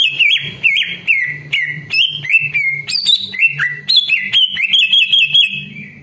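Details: Lure song of the greater green leafbird, meant to draw replies from other leafbirds. Clear, loud whistled notes are delivered rapidly and continuously, each slurred or looping, with frequent shifts of pitch and a faint low hum underneath.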